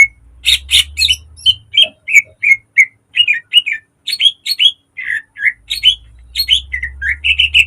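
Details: Green leafbird in a cage, singing a varied lure song for training: harsh opening notes, then strings of whistled, downslurred and chattering phrases over an intermittent low hum.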